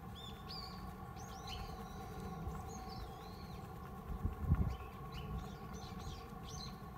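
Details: Japanese tit visiting a home mailbox on 29 April 2020, giving short, high, thin chirps and upslurred notes scattered through the clip, over steady low rumble and a brief knock midway.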